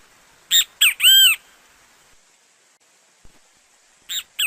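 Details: Singing great kiskadee from Brazil gives a strong three-syllable phrase, two quick notes and a long arched one, followed after a pause by a faint click and the start of another phrase.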